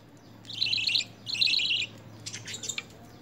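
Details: Begging lovebird at hand feeding, offered spinach and coriander during early hand-feed training: two short rasping, chattering bursts, then a looser scatter of scratchy notes.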